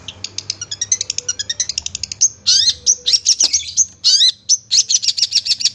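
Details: Long-tailed shrike masteran song for tutoring kept birds: rapid high ticking notes speed up into a trill, then loud harsh, scratchy bursts alternate with sweeping whistled phrases and rattling chatter, all high-pitched and clean.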